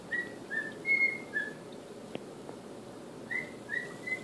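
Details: Whistled tune from a male cockatiel practising the Andy Griffith song indoors, a short run of clear notes, one higher and louder, then a pause with a faint click and a fresh three-note start.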